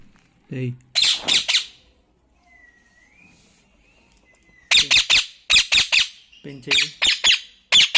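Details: Talking parrot kept as a pet: harsh, noisy squawking bursts in two clusters separated by a quiet gap, some with low buzzy tones, while a person nearby talks in Hindi.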